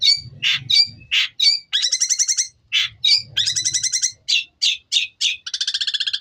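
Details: Long-tailed shrike singing with 'Tengkek Buto' material, alternating loud harsh squawks and short whistled notes with bursts of fast rattling chatter, ending in a quick, regular high trill.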